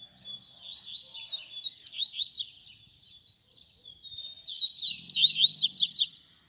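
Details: A double-collared seedeater delivers its baderna song, a tutor song for young birds, as continuous high twittering with clipped downward-sweeping notes and quick trills; a faint low hum appears near the end.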